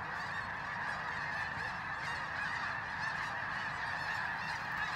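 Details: A pre-dawn fly-in of thousands of snow geese on a freezing morning at Bosque del Apache, New Mexico, recorded on a phone. A steady wall of overlapping honks and yelps holds at one level throughout.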